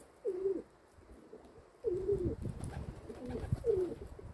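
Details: Kept domestic pigeons cooing: three separate low, wavering coo phrases, each about half a second long, spaced roughly every one and a half seconds, with faint background rumble between them.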